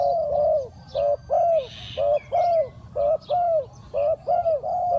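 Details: Spotted dove acting as a decoy to attract wild doves, giving loud, mellow coos in pairs, the second drawn out and falling slightly, about once a second; a brief higher chirp from another bird.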